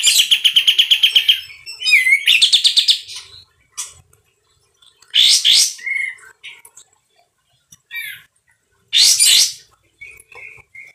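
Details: Loud and harsh sooty-headed bulbul in full song: opens with a fast rasping pulsed trill, then scattered short whistles and rough, explosive bursts separated by silences.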